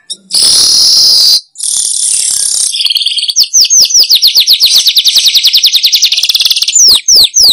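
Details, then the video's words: Lure sound for wild weavers: a long, harsh, hissing buzz, a brief gap, a second buzz, then accelerating series of sharp, sweeping high chirps ending in two loud slurred notes. "Suara Pikat Burung Manyar"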